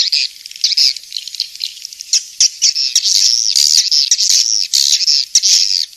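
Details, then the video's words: Loud swiftlet twittering: sustained, wavering high buzzy notes broken by short sharp chirps, nearly continuous over six seconds. "Suara Walet King'S Star"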